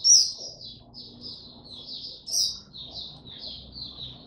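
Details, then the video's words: Oriental white-eye singing 'tiong aw', recorded 25 January 2022 after a late night's sleep: high, sweet, tumbling warble with loud piercing accents at the start and midway. "Mata Puteh Hercules V2 buka tiong aw sing"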